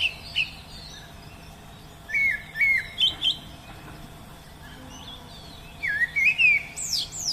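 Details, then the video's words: Wild Oriental magpie-robin song with bursts of slurred, whistled notes in small groups, quiet gaps between phrases, and one phrase ending in a sharp upward-sweeping whistle. "Nghe Tiếng Hót Của Chim Chích Chòe Ngoài Thiên Nhiên"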